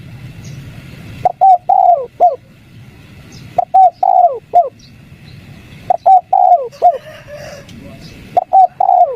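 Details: Luring call of a spotted dove in 'kuk 3' style, meant to provoke quiet wild doves into answering: four even phrases of low, rounded coos with a drawn-out descending middle note, spaced a couple of seconds apart, light rumble behind.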